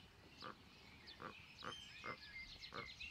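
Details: Magellanic steamer duck calling: five short, hoarse mid-pitched notes spaced about half a second apart. Faint higher twittering from other birds carries on behind.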